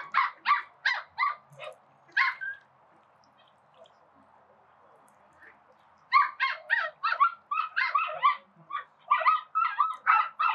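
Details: Several call ducks at a spray pool give rapid runs of loud, raspy, high quacks, about three a second, then pause for several seconds before a longer, busier volley of overlapping quacking.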